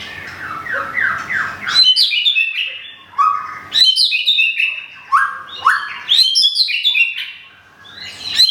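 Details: White-rumped shama kept in Thung Song, Thailand, after a recent moult with plumage not yet complete; soft rolling notes, then loud sharp whistled phrases in bursts with brief pauses between.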